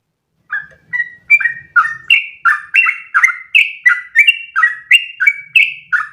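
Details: Yellow-vented bulbul giving a lengthy, breathless rolling song as a tutor for other birds: starts after a short silence, then a steady chain of loud whistled notes leaping between high and low pitches, about three per second.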